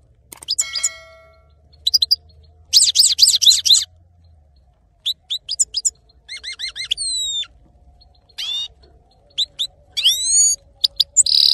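A male goldfinch sings a rapid, varied twitter of tinkling notes, liquid trills and short buzzy phrases, with brief pauses between bursts; a faint low hum runs underneath.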